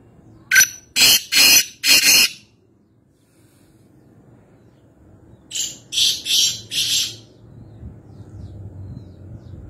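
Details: Nawabshah, Pakistan: a black francolin (Kaala Teeter) gives a loud grating four-note phrase, falls silent, then repeats a softer four-note rasping phrase, with low background rumble throughout.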